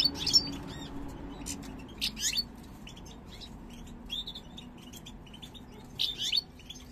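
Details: European goldfinch pair, parva subspecies, born 2022 and entering breeding condition, heads held snake-like; bursts of bright, high twittering chirps at irregular intervals, separated by quieter gaps over a faint background hum.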